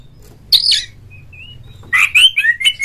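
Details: Oriental magpie-robin lure song meant to provoke a kept rival into singing with tail fanned; a buzzy high burst, a few soft thin whistles, then a quick string of bright slurred notes.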